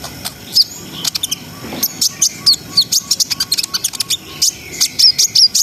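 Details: Brown-throated sunbird singing vigorously in the rapid, continuous, sharp 'ngriwik ngerol' style used to raise breeding arousal in untrained birds: very high, thin chirps and squeaky notes in quick irregular bursts over about five seconds.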